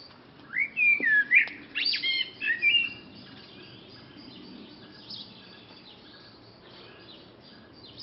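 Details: Back garden at lunchtime with birds singing: a burst of loud, quick whistled and chirping notes in the first three seconds, then softer distant twittering.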